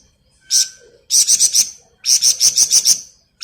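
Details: Gacor flamboyan bird in ngebren style, meant as masteran for songbirds: a single sharp high note, then fast runs of shrill, evenly pulsed trilled notes, the last run of about eight pulses.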